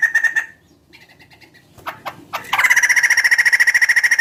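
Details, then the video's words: Large bird with a chicken-like call: a short pulsed burst, quiet stuttering notes, sharp accents, then a loud, steady rattle of rapid harmonic pulses, about four per second. "Suara burung gacor paling membagongkan"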